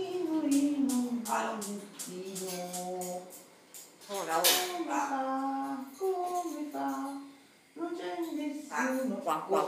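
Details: Hand-reared common hill myna in Arezzo, Tuscany, Italy, talking in Italian-sounding phrases, with human-like voiced words and squeaky rising and falling syllables in short bursts, indoors.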